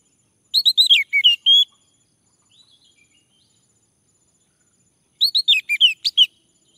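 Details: Orange-headed thrush male in song, meant to coax another male into singing: a fast burst of varied chirping, slurred notes ending in a held whistle, a few faint soft notes, then a similar rapid phrase repeated about four seconds later.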